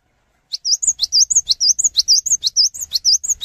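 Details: Cinereous tit encouraging other tits to sing, delivering a brisk series of high piping notes, sharp upsweeps interleaved with looping whistled slurs, roughly two per second.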